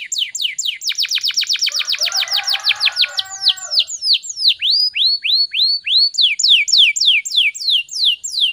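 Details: Canary in full gacor song, fast and tightly packed, from a lure recording: a swift series of sweeping notes over a soft low warble, followed by slower, looping upswept whistles repeated about twice a second.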